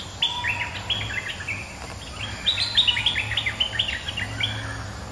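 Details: Resident bulbul answering a rival: a dense string of quick, warbling, up-and-down chirps that grows busier and louder midway, then trails off. A soft low hum continues beneath.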